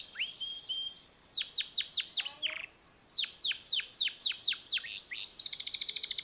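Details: Canary song from a pet bird that sings constantly: a short whistled note, then quick series of sharply descending sweeps in two bursts, ending in a rapid buzzy trill.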